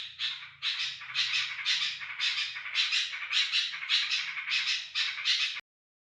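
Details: Sooty-headed bulbul used to call in other bulbuls: dense series of scratchy, rasping bursts about two per second, with a soft low hum beneath, ending abruptly.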